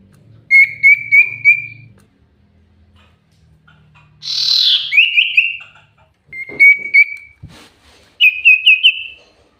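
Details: Common iora, lively lure song: short runs of three or four quick, identical whistled notes, one harsh buzzy burst in the middle, and faint low rumbling and clicks in the background.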